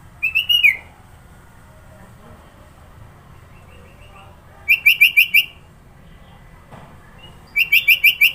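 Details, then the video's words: Sooty-headed bulbul in Sidoarjo, East Java, with a varied fill-note song. Bubbly phrases of quick, repeated whistled notes are given, and a faint softer series of notes sounds between the louder bursts. "Burung kutilang suara isian banyak"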